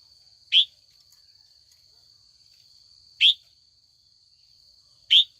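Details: Female red-whiskered bulbul in training, calling in the afternoon to draw old wild males into contest singing: three sharp, rising chirps spaced about two to three seconds apart over a steady high-pitched whine.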